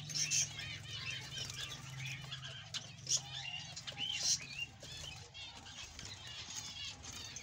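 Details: Male Australian budgie giving rapid, scratchy warbling chatter with bright high chirps in bursts, over a low steady hum.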